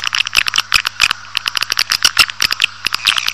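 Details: Swiftlet calls used as a lure to draw a colony into a building: rapid, dry clicking chirps in dense irregular bursts, high and bright, with a faint steady low hum underneath.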